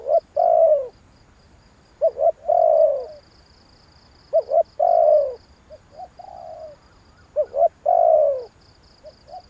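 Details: Spotted dove cooing, used as a lure call: repeated phrases of short hooting notes followed by a longer falling coo, roughly every two to three seconds, with a faint high insect-like hiss throughout.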